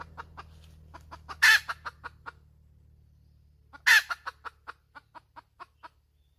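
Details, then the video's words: Hen cackling: steady run of short sharp clucks broken by two loud harsh squawks about two and a half seconds apart, with a low steady hum underneath. "Suab poj qaib tsauj dib tuaj zoo heev"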